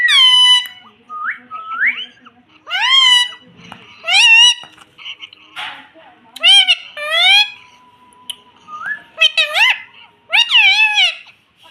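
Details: Talking parrot kept indoors, repeating phrases like mitthu and mummy: many high, curved, harmonic syllables and short whistles in uneven bursts over about twelve seconds, with a faint steady tone underneath.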